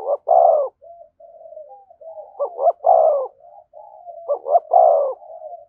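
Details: Spotted dove cooing close to a decoy bird in the 'thúc gù' style: paired short hoots then a drawn-out rough coo, repeated about every two seconds, with quiet continuous low cooing between phrases.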